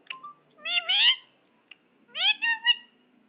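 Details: Pet ring-necked parakeet talking indoors: two short, harmonic, squeaky speech-like phrases about a second apart, each rising then wavering, with a faint click between.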